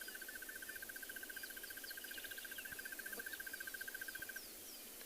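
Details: Crested barbet singing from a treetop to advertise its territory on a morning game drive, 3 March 2021, in a private game reserve in South Africa: a long, even trill of rapid, dry mid-pitched notes, insects and distant birds behind.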